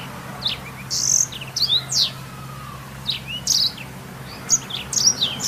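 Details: Master song of a black-throated canary for training canaries: scattered clusters of thin, very high sweeping notes and brief buzzy accents separated by short pauses, a constant low hum in the background.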